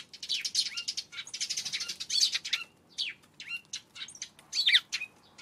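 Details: Afternoon of April 25, Eurasian tree sparrows chattering busily: overlapping sharp chirps and buzzy twittering notes packed closely together, with short pauses between bouts and little background noise.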